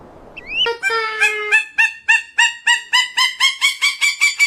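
Peruvian thick-knee giving a loud, harsh series of nasal yelping notes, about two per second, each with a strong ringing overtone, starting with a brief rising whistle.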